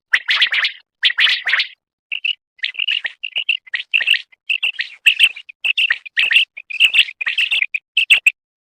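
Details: Female call of common quail, as used by hunters netting quail in Khyber Pakhtunkhwa: a steady train of short, bright chirps at one high pitch, broken into irregular groups separated by brief silences, with occasional clicky ticks.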